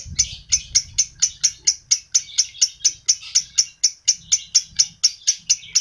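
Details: Lovebird sound used to stimulate adult lovebirds: sharp, high chirps repeated about twice a second in a steady series, with a faint low rumble underneath.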